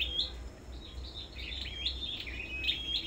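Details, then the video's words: Sâu đầu đỏ songbird in a singing competition at a bird farm, delivering a quick run of overlapping high whistles with brief upward slurs and flat held notes, almost continuous over three seconds. "Sâu Đầu Đỏ Hót Đấu Đủ Loại"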